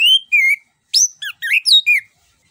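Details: Orange-headed thrush singing a rolling, varied song meant to prompt a reluctant bird to sing: clear whistled notes, some slurred downward, others rising, run together quickly over about two seconds.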